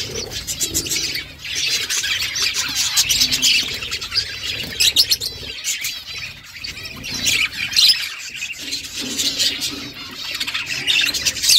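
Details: Budgerigar mother feeding her chicks; dense, raspy high chirping and squawky notes run almost without pause, with short quieter gaps near the middle.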